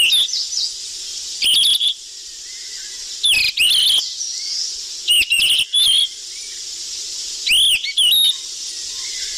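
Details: Sikatan emas flycatcher lure call, a busy, noisy recording: short bursts of sharp, high chirps with rising and falling whistled notes, heard in clusters roughly every two seconds over a steady high hiss.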